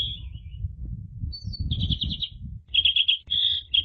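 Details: Short burst of Asian pied starling 'ngeplong' song: a thin whistle, a high note, a pulsed trill, then two loud buzzy trilled phrases separated by a short pause, over low background noise.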